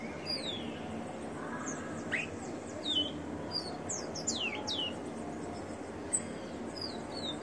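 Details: Ringed rufous-collared sparrow kept by a breeder sings briefly: a run of thin, high, down-slurred whistles and sharp chirps, loosely spaced, over a constant low background hum.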